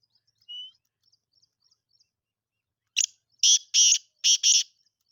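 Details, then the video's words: A black francolin (Sindhi teetar) calls loudly. A brief introductory rasp is followed by two paired, grating, buzzy notes, the whole phrase lasting under two seconds. A thin whistle and faint high ticks come beforehand. "کالا تیتر کی آواز ویڈیو سندھی تیتر کی آواز"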